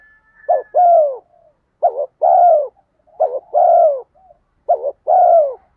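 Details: Spotted dove cooing as a lure to excite wild doves: four repeated two-part phrases, a quick wobbling note followed by a sustained mellow coo that sinks at the end, with brief soft notes between and a faint high tone at the start.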